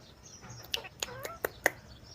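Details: A 4-month-old pet Alexandrine parakeet mimics speech, five harsh, clipped, word-like bursts about a quarter-second apart, seemingly "me too", with a brief gliding tone between them, over a faint background hum.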